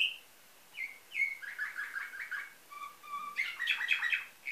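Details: Canary singing nightingale-type song, bred in Varna, Bulgaria, 2013: a few sliding whistles, a quick rippling series, two low flat whistles, then a dense bright chatter.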